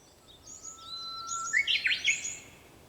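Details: Early-morning Japanese bush warbler at sunrise on 4 May 2021: a long even whistle that breaks into a fast, explosive warbled ending, over a busy background of high twittering birds.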